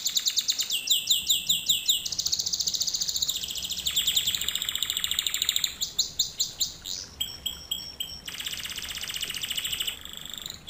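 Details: Canary song recorded as a training lesson for young canaries to learn from: continuous high, rapid trills and rolling tours, shifting between fast repeated notes, buzzy rolls and sweeping whistles, with loud pulsed phrases near the end; no other sounds.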